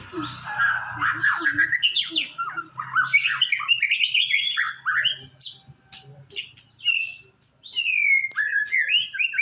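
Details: White-rumped shama, murai batu, singing a rich, varied song of rapid whistled and slurred phrases with abrupt pitch leaps, bursts of chattering notes and brief pauses, continuing for nearly ten seconds.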